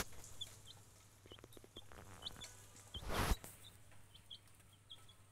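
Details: A chick seeing greenery and soil for the first time, described as very happy, gives short, high, thin peeps scattered irregularly a few times a second, over a low steady hum and one loud thump.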